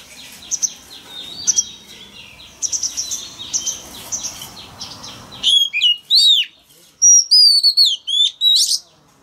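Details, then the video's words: Male Oriental magpie-robin in full song to stir young birds into answering: busy, scratchy twittered phrases first, then sharp, ringing whistled notes in quick bursts, rising and falling, separated by short pauses. "Choè than trống hót réo kích bổi mở mỏ hót theo"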